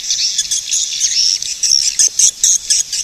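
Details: Swiftlet calls: high, squeaky twittering chirps in a steady stream, with brief louder bursts repeating about twice a second near the end.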